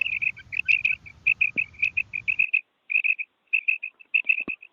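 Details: Short, high, chirping notes in quick pairs and triplets from a female common quail, with brief pauses between bursts and a low rumble underneath for the first half.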